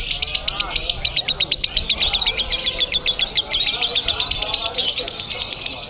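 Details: A lovebird competing at a singing contest in Bandung delivers long, rapid bursts of shrill ticking chirps, a dense rattling trill that barely pauses, while people talk in the background.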